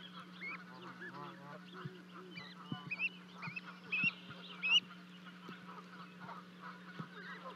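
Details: Canada geese at Charlo, Montana on 12 May 2020, as two goslings jump from a 30-foot-high osprey nest; quiet honking mixed with thin, high, upward-sliding peeps, louder in the middle, plus occasional taps over a steady hum.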